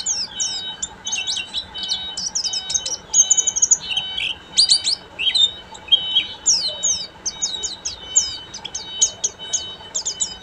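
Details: Oriental white-eye (pleci buxtomi) in full ngeriwik singing style: dense, rapid streams of high, thin chirps and twittering trills, continuous with brief pauses, over a faint steady hum.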